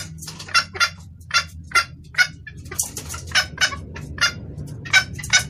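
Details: Red junglefowl hen calling the male, a sound used to lure cocks: a dozen or so clucking notes, some grouped in quick pairs, with a fainter extra note and a low hum.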